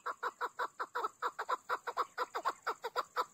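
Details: Chukar partridge, called chakor or keklik, used by hunters: a fast run of harsh clucking chuk notes, about two per second and speeding up slightly, steady and loud throughout.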